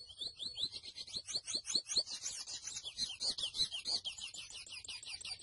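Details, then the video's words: Grey seedeater, locally called mochuelo, singing a fast, continuous run of high, sharp twittering notes, each a quick slurred chirp, tumbling on without pause for over five seconds. "MOCHUELO AVE Y SU CANTO HERMOSO (SPOROPHILA INTERMEDIA)"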